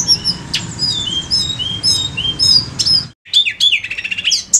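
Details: Lure song of a blood-breasted flowerpecker, sung energetically: repeated thin high double whistles and sharp chips over a low background murmur, a brief silence, then rapid buzzy high trilling.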